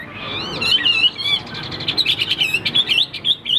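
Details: Caged male hwamei singing loudly with spread display, described as a fighter: varied, warbling whistled phrases turning into rapid chattering notes.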